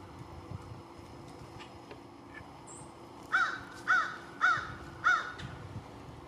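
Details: American crow calling around lunchtime: four harsh, nasal caws in quick succession, roughly half a second apart, after a quiet stretch of low background rumble.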